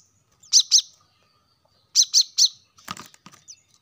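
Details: Plain-throated sunbird singing as a lure to prompt caged birds to sing: two sharp, high chirps, then a pause and three more in quick succession, followed by a brief scratchy rustle.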